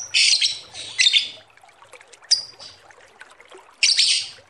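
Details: Lovebird uttering loud, grating, high squawks in pairs, then a sharp short chirp and another rasping burst, from a recording used to lure other birds.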